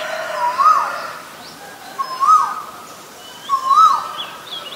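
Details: Three swooping, rising whistles from a male Asian koel, evenly spaced about every one and a half seconds, accompanied by faint high calls of other birds.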